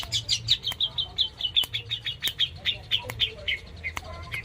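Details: A pet long-tailed shrike delivers a quick run of sharp, high repeated notes, about four per second, steady for most of the stretch before slowing into a few downslurred chirps.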